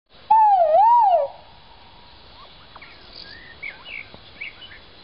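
A Great argus gives a single loud, wavering whistled wail lasting about a second, dipping and rising before falling away. Faint chirps of other birds follow in the background.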